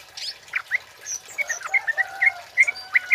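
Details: Male kemade singing, a recording meant as a lure and tutor song; sharp, high chirped notes at an irregular pace, bright rising and falling whistles over a quiet background.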